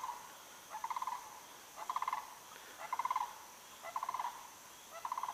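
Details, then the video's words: Sandhill crane calling in the distance on a muggy, humid, overcast day by Shinn's Ditch, which drains into the Withlacoochee River: rolling, rattling trumpeted bursts repeated about once a second, with a steady high hum behind. "as you can probably hear that's the call of the crane"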